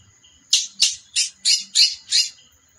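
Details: Female chestnut-bellied seed finch delivering six harsh, squawky buzzing notes spaced roughly a third of a second apart, over a faint steady high tone.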